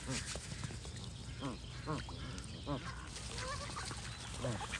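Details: Spaced, nasal goose honks sound about once a second, each a brief arched note. Softer, higher whistled bird notes sound in between, over a steady low hum.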